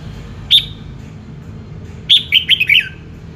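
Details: Red-whiskered bulbul: a single sharp whistled note, then a lively phrase of four quick, bright, downward-slurred notes, over low steady background noise.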